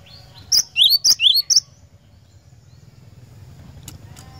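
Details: Glatik batu (cinereous tit) singing, played to prompt a caged bird into full song: a brief burst of about three quick doubled notes, high clipped whistles each paired with a rising slur, then faint background hum.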